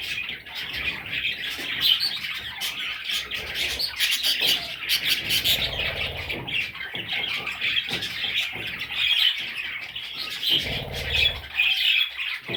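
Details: Several parrot chicks chattering at length with raspy high chirps and clicking notes, occasional louder squeaks, and low rumbling noise at moments.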